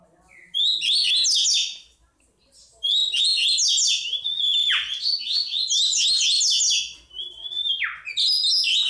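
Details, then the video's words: Tui Tui song of a chestnut-bellied seed finch: long, continuous runs of tumbling high whistled notes, twice broken by deep downward swoops, with a short pause early on. "Melhor Canto Tui Tui de Todos os tempos - BICO DE PIMENTA"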